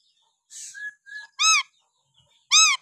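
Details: Papuan lory whistling naturally: soft hissy notes and a thin level tone, followed by two loud, arched, ringing whistles about a second apart.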